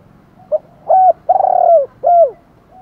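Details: Spotted dove, a decoy bird cooing in the morning to lure wild doves: a soft short lead note, then three hoarse coos, the middle one long and rolling, the last sliding downward; quiet background.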